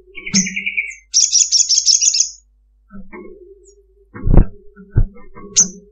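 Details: Female Ruby-cheeked sunbird calling to a male in long chattering style: a buzzy mid-pitched trill, a sustained rapid high chatter for over a second, then scattered short chirps mixed with lower tonal sounds and thumps.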